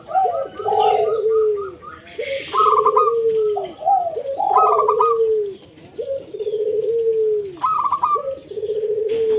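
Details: Local zebra doves singing as a lure for reluctant doves: overlapping phrases of staccato ticks and low rolling descending coos repeated steadily, several voices layered with little pause across the stretch.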